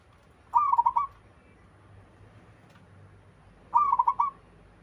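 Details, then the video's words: Local zebra dove from the wild giving its melodious coo: two short, trilling phrases of rapid soft pulses, about three seconds apart, over a steady low rumbling hiss. "Suara burung perkutut lokal alam gacor sekali putar lainnya ikut nyahut"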